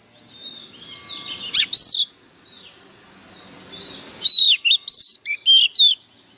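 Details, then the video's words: Oriental magpie-robin used as a lure bird, worked up and singing fiercely: a quiet start with a few soft notes, then a loud burst of sharp, high whistled and slurred phrases in quick succession near the end. "Chòe than mồi căng lửa bắn giọng cực gắt"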